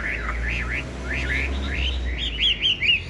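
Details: Chinese hwamei, a tame cage bird with yellow feet and bill and a loud voice, gives wavy rising-and-falling whistles in a steady chain, closing with quicker, brighter upslurred notes.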